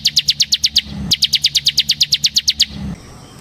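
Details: Bar-winged prinia singing in the ciblek semi style for luring and mastering: two rapid, regular series of high sharp chirps, each about a second long, over faint low hum.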